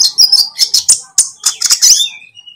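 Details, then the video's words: Lovebird, green or speckled variety, in a lure recording meant to prompt kept birds to sing: rapid, shrill, buzzy chattering bursts in quick succession, ending in a thin drawn-out whistle. "pancingan konin ijoan atau trotol"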